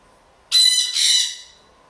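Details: Blue-and-gold macaw, a bored indoor pet housed with a sun conure and a parrotlet, squawks to tell the other birds to stop: a single loud, grating two-part screech, then quiet.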